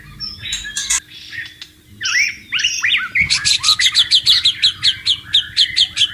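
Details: White-rumped shama singing in the wild near running water: a few scratchy and slurred notes, then a quick, even series of sharp chip-like notes repeated about twice a second.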